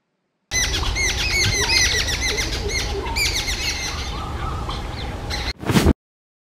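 Jungle Babblers chatter in harsh, squeaky, rapidly repeated notes, several birds overlapping for about five seconds, followed by a short burst of noise.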